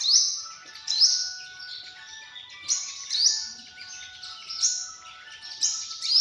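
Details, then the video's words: Sunbird calling: sharp, high, rising notes repeated about once a second, each with a bright squeaky peak, over faint steady tonal hums in the background. "tiếng chim hút mật"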